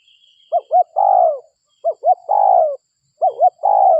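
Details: Lure recording of a local spotted dove: each phrase a quick pair of rounded hoots leading into a long, mellow, falling coo, repeated three times, with a faint high whistle at the start.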